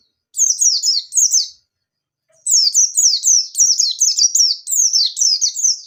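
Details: Lure recording of a white-eye in full 'ngalas nembak' song: a brief phrase of high, thin descending slurs, a two-second pause, then a long, fast run of sharp, downward-sweeping whistled notes delivered in rapid succession.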